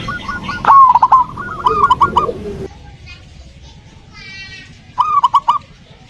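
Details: Zebra dove song to make a silent dove start singing: a loud stuttering coo phrase with clicks, a softer follow-up phrase, a short pause with a brief buzzy sound, then another clipped phrase.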